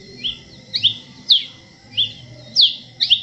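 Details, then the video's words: Masked cardinal, resident in Colombia, Venezuela and Trinidad and Tobago, singing bright two-part chirps that rise then fall, about six notes in quick succession over a faint steady background tone. "O canto do Cardeal mascarado"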